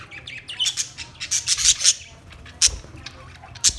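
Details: Australian parrot giving harsh, high squawks in short bursts, several loud calls clustered mid-clip with quieter scratchy notes between, outdoors.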